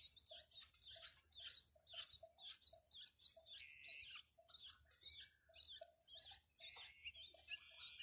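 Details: Newly hatched nestlings in a clay nest box beg while their mother feeds them: a dense, scratchy chorus of high, squeaky chirps in rapid bursts, roughly two per second, with a faint low hum beneath.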